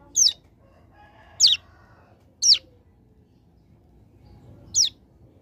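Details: Hill prinia from a mountain area, singing actively for a tutor recording. Four sharp, high, downslurred notes come at uneven intervals over a quiet background.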